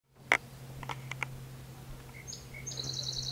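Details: Song sparrow singing along a lake shore while a ruby-throated hummingbird visits a feeder: a few sharp clicks, then brief whistled notes and a high, buzzy rapid trill near the end over a steady low hum.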